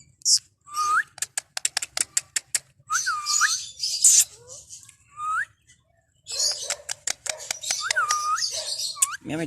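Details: Pet green ringneck parrot, a rose-ringed parakeet, in a happy mood in an aviary: bursts of sharp clicks, harsh squawky noise and several short rising whistles, with a brief silence midway and faint background hum.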